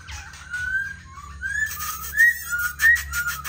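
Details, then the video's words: A tame black laughingthrush sings with a display, perched on a table stand: a run of clear, slurred whistles rising and falling, about one and a half notes per second, over a low hum and some clicking. "Khướu mun thuần hót múa giọng hay"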